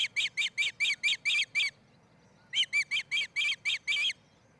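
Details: Osprey calling at a new nest being built by a pair in Charlo, Montana, captured on a nest camera on 07-10-2018: two rapid runs of shrill whistled chirps, about eight then seven, split by a short pause.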